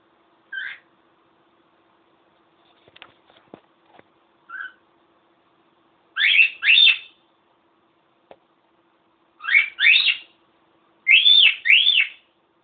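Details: A male pet cockatiel whistles a song of short, clear notes, building to paired arching whistles; at points a recording of his own singing was played to encourage him to keep singing.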